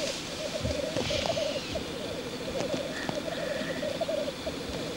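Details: Black grouse male displaying at the lek, with a chorus of rolling, gurgling bubbling notes throughout, plus a brief higher wheezy sound around the middle.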